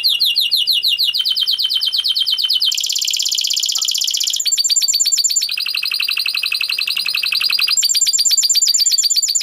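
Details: Spanish Timbrado canary, a yellow bird described as a tenor, recorded in Rhodes, Greece, delivers continuous loud song of rapid repeated notes, shifting every second or two between trilled tours of different pitch, including a dense bell-like rattle.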